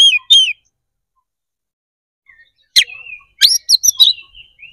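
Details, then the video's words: Fighting song of a kept white-rumped shama meant to rouse a rival's response; two short whistled phrases, a long pause, then a burst of harsh chattering notes and whistles. "KACER GACOR NGEPLONG TARUNG !! PANCINGAN DASAR PALING AMPUH BUAT MENAIKAN EMOSI KACER AUTO RESPON"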